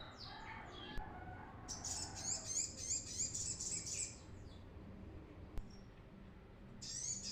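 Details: Brown-throated sunbird song used as a trapping lure, a run of quick high buzzy chirps repeated about three times a second for two seconds, then quiet hiss before another high burst starts.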